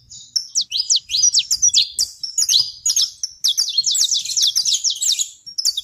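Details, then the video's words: Saffron finch singing on a farm in Brazil: a continuous, busy chatter of high, quick downslurred chirps and trills with barely any pause. "canário da terra na minha roça"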